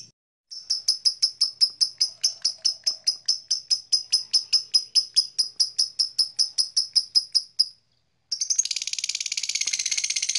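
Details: Blue black-masked lovebird giving a long run of sharp, high chirps repeated over two per second for about seven seconds, then a burst of dense harsh chattering.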